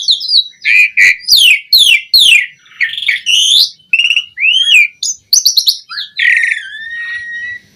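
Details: Asian pied starling song for training birds: a varied string of rich whistles, downslurred buzzy notes and looping phrases, ending with a long falling whistle.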